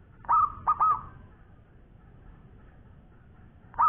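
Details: Local zebra dove in full, long-voiced song: one rolling phrase of three quick, mellow coos, a pause of nearly three seconds, then the next phrase just beginning at the end.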